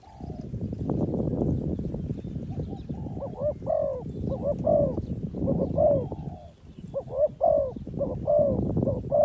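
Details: Spotted dove calling as a trapping lure: low rumbling noise fills the opening seconds, then mellow repeated coos emerge in short, evenly spaced phrases through the rest of the recording.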